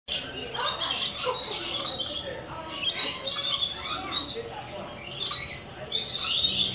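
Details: Coconut lorikeets, several birds that want to visit, give harsh, screechy bursts of chattering calls in clusters, with loud peaks around three seconds and again near five seconds and brief pauses between.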